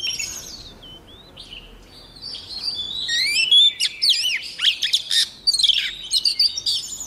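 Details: Female white-rumped shama singing to stir caged males into song; quiet thin whistles at first, then from about three seconds a loud run of rich, fast warbled and slurred whistled phrases with sharp up-and-down notes.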